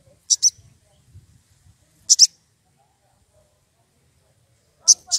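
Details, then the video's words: An excited wild sogon calls out for a rival. It gives short, shrill paired chips roughly every two seconds, each a quick high double tick, over quiet low background rumble. "Sogon emosi cari lawan"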